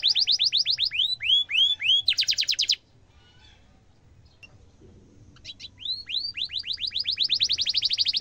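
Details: Actively singing canary, the kind of song used to train young canaries: quick high chirp series, rising swoops and a buzzy trill, nearly three seconds of quiet, then swoops building into a fast rolling trill.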